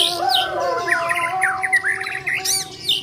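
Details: Bornean white-rumped shama in fighting song, a quick run of looping whistled notes and chirps, some sharp high upslurs near the end, against a constant low humming drone.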